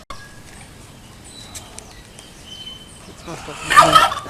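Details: Courting male turkey lets out a loud, rapid, rattling gobble near the end after a few quiet seconds, with faint background murmur.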